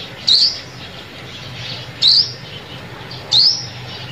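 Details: Trapping lure call of a sunbird: three thin, high upward-sliding whistles spaced about one and a half seconds apart, with quiet background hum between them.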